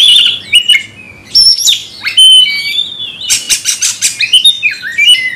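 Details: Kept magpie-robin, set off by a rival fighter's song, gives an agitated outburst: bright whistled slurs and rising-falling notes alternating with harsh, buzzy bursts and rapid clicks, loud and high-pitched throughout.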